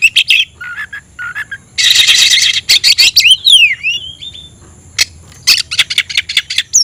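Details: Caged oriental magpie-robin singing with spread tail, roused to call a rival to fight: scratchy buzzing bursts and rapid clicking notes mixed with clear whistled slurs and a falling, twisting whistle near the middle.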